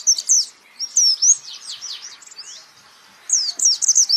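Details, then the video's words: A white-eye, offered as a tutor song for training birds, sings rapid, high, thin twittering phrases of quick slurred notes, pausing briefly before another fast burst. "pleci Jawara Pake Masteran ini jamin Geter-GETER!!!!!"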